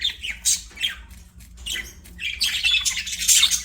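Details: Playing budgerigars sing in a chattering warble of squeaky, scratchy notes, sparse at first and then swelling into a thicker, louder stream of high twitters.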